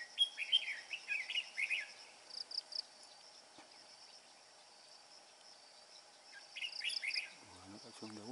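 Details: Red-whiskered bulbul father bringing food to nestlings, still singing with a bell-like voice: quick bouncy whistled notes at the start and again near the end, a quiet hissing pause between, then a low human voice.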